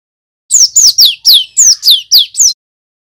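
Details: A male cinereous tit sings its lure song, eight sharp piping whistles falling from high to lower pitch, about four per second, in a clean recording.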